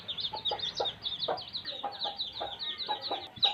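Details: Baby chicks peep rapidly and high-pitched in a dense, overlapping flock chorus, with occasional lower chirps underneath.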